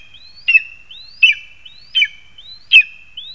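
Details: Lesser spotted eagle perched in a spruce, Zemgale, Latvia, late August 2021, giving four shrill yelps, each preceded by a faint upslurred whistle, roughly three quarters of a second apart.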